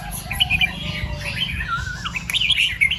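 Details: Red-whiskered bulbul in the morning singing in the 'double 2-3' and 'rik' styles: quick whistled notes, a gliding downward slur, then a bright flourish of chirps, over a low background rumble.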